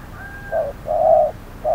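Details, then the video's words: Spotted dove decoy in a trapping session at a hot noon, with a wild bird nearby; a short coo followed by a long, steady hollow note and the start of another, with a faint thin whistle before. "Bẫy cu gáy 10 // Mồi VR001 gặp phải con Bổi quá khôn, lúc trưa nóng bức"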